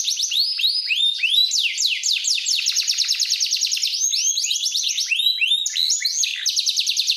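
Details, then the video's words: Big-size male canary in lively full song: fast runs of high downslurred notes, rolling trills and whistled sweeps, continuous for seven seconds without pause. "Kenari Bigsize Jantan gacor"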